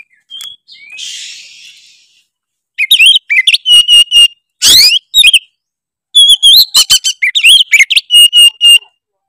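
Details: Oriental magpie-robin in loud gacor ngeplong song, said to make other magpie-robins angry: a soft buzzy rasp first, then phrases of clear whistles, crisp repeated chips and one harsh buzzy burst midway.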